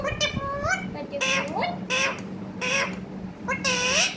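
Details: Talking parrot producing five short voice-like syllables, each sliding upward in pitch with a harsh, breathy edge, evenly spaced about a second apart against a constant low hum.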